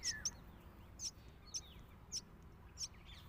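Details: A loud, hungry myna chick begs while being fed by its parent, giving short, high, sharp chirps, about one every half second, over a soft background hiss.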